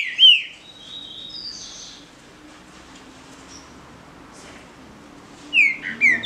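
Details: Green-winged saltator singing contest, with a single loud whistled note at the start, thin high buzzy notes, a long quiet stretch, and then a closing run of three slurred whistles.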